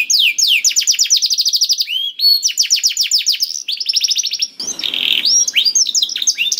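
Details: Canary song for stimulating a silent canary: rapid high trills and repeated sweeping notes, followed by a harsher, noisier buzzing phrase with scattered chirps near the end.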